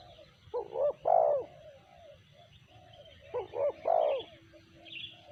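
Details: Cooing of a spotted dove, two phrases about three seconds apart, each built from short rising hoots that lead into one loud, rounded coo, over quiet outdoor background.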